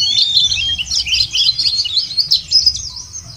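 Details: White-eye song used as a lure to make birds sing: a continuous, fast, high twittering warble of tangled rising and falling notes, with low background rumble.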